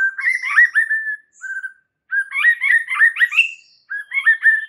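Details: White-rumped shama singing rich varied phrases, used to spur stalled, stressed birds: tumbling whistles and warbled slurs in three bursts, with brief quieter notes between.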